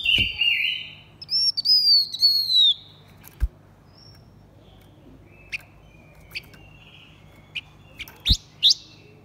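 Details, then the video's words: Blue-winged minla male and female: a wavering whistle and a long arching bright whistle early on, then scattered short chips and clicks with a final rising note. "Chim khướu lùn cánh xanh hót mồi kích bổi trống mái quá đỉnh."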